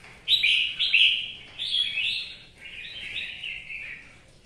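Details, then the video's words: Caged red-whiskered bulbul in Vietnam singing during rain: loud, quick whistled and chattering phrases, the first two short and punchy, followed by a longer wavering warble that fades out. "CHÀO MÀO | Trời mưa cho 2e nó xả tí"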